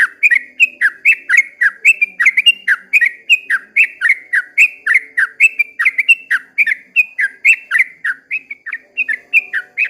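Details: Long dawn song of a sooty-headed bulbul, a fast steady stream of short swooping whistled notes, about four per second, clear and loud throughout.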